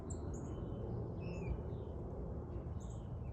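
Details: Birds chirping, with brief high slurred tweets and a few downward whistles clustered in the first half, then a pair of high notes near the end, all over constant low-pitched background noise.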